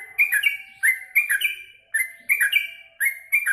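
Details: Yellow-vented bulbul singing after a meal of mealworms: chortling, warbled phrases of stepped liquid notes, each burst lasting about half a second and coming roughly once per second in a lively cycle.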